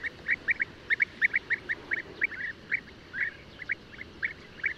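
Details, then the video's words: European bee-eater uttering a rapid series of liquid, burry 'prruup' notes, mostly paired or single, at a fairly even mid pitch, with a soft hiss behind. "O canto do abelharuco-comum/abelharuco-europeu (Merops apiaster)"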